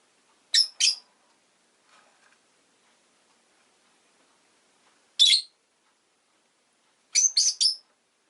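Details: Rosy-faced lovebird, a pet bird, making paired and tripled piercing chirps, each cluster separated by several seconds of quiet.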